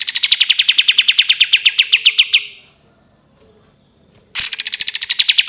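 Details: Cream-vented bulbul in a long 'tembakan' shooting trill, used as tutor song: a rapid run of clipped notes ends, a short pause follows, then a new trill bursts in high and slides lower.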